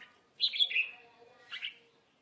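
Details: Red-whiskered bulbul from a Vietnamese trapping scene with fighting birds, giving a bright slurred whistled phrase, then a shorter two-note chirp a second later.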